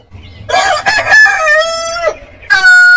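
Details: Heritage-breed rooster gives a loud, rough crow rising into a long, slightly falling tone, then a second bird starts a clear, pure, sustained crow at the end.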